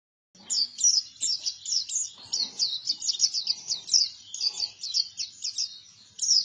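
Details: Buktoni-type white-eye singing vigorously: a continuous run of high, quick chirping notes, each a short rising-falling twitter, packed closely after a brief silent start, with faint low background rustle.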